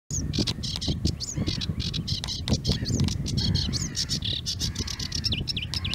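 A sedge warbler pours out a fast, scratchy jumble of harsh clicks, chatters and slurred whistles with no pause, over a low rumble of wind.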